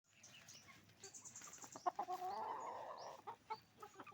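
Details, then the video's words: Roosters and hens on a chicken farm: a busy flock of clucks with a drawn-out rising, wavering call in the middle, plus thin high upswept peeps scattered throughout. "the sound of a chicken farm, roosters and hens making noise"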